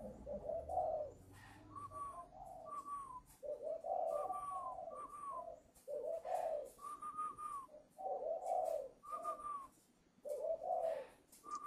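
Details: At a Ba Vì, Hanoi farm in Vietnam, a caged young spotted dove whose voice has just matured, due to go to a buyer on 10 November, repeats low coo phrases, each followed by a brief higher, slurred note.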